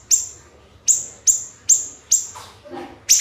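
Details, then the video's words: Siri-siri bird song used as a training recording for songbird contests: sharp, shrill high notes, each a bright downward-sweeping burst, repeated about every half second, with a faint lower rustle near the end. "MASTERAN BURUNG SIRI SIRI GACOR TEMBAKAN RAPAT"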